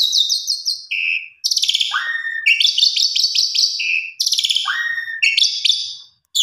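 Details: Female Asian pied starling calling to a male: loud, varied bursts of harsh harmonic notes, rapid stuttering series, clear whistles and descending slurred notes, repeated in lively phrases with brief pauses and a short silence near the end.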